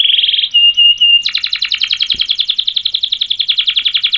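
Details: Canary in full, long-rolling song, recorded to tutor and stir other canaries: a brief buzzy trill and thin steady tone, then a dense rapid rattle of high notes running on for about three seconds.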